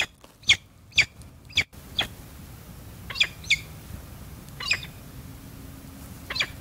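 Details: Female peregrine falcon, very vocal near the male: short, harsh, clipped calls repeated irregularly, about eight in quick succession with gaps of under a second, over a faint steady background hiss.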